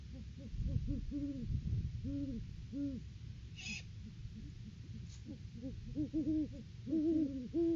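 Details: Off-season duet of a wild Great horned owl pair at the nest tree, caught by a live cam in December 2022: rapid runs of short, deep hoots in two voices, slightly different pitches interleaving, over low background rumble.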